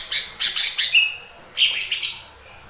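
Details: Lesser green leafbird singing as a lure to make other birds sing: two quick phrases of high chirping notes, each ending in a brief clear whistle, with a short gap between them.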